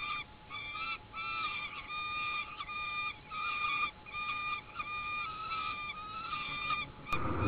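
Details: Peregrine falcon chicks give harsh, nasal wailing begging calls in drawn-out bursts over a steady faint hum, while being fed by adults on a nesting platform in an oak tree.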